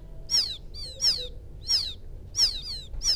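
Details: Baby field quail calling for its mother: piercing high peeps that slide downward, some in quick pairs, spaced irregularly across a few seconds against faint low background noise.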